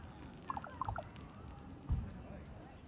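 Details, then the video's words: Ravens make strange bubbling sounds: a quick run of liquid, bubbling notes at a middle pitch, then a single dull low thump against a soft background hum. "Ravens Making Strange Bubbling Sounds"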